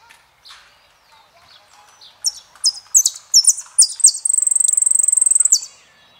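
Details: Jilguero, the Argentine saffron finch, in El peregrino style: a few quiet notes, then loud descending high chirps that speed into a long, steady buzzing trill.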